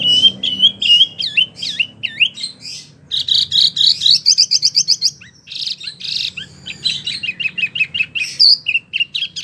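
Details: Small caged wambi in a long rolling song, dense rapid chirps and repeated upslurred whistles running almost without pause, steady fast rhythm, faint low hum behind.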